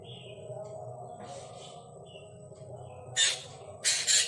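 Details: Kajalapatri, the Black drongo: several quiet seconds with faint thin whistled notes and a low hum, then two sudden harsh, rasping squawks close together near the end, the last one doubled.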